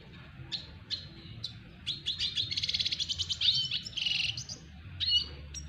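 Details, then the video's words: Double dilute red siskin courting a female: isolated high chips give way to a rapid rhythmic stuttering series, then a buzzy sustained phrase and a final whistled note, low hum beneath. "Red siskin Double diluet belajar merayu BETINA red siskin"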